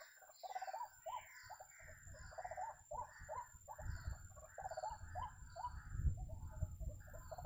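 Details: White-breasted waterhen calling in the context of bird trapping: a rapid run of hoarse, croaking notes repeated about every quarter second, each slightly rising, with low rumbling background noise and a steady high electronic whine.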